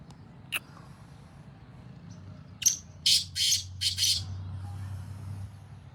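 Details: In fields, a black francolin (Sindhi kala tetar) sounds a grating call of about five rasping, buzzy bursts in quick rhythm, preceded by a sharp click, over a low steady hum.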